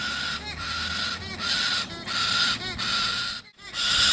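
A young galah gives harsh, grating screeches in long rasping bursts, about one per second, with brief pauses between them.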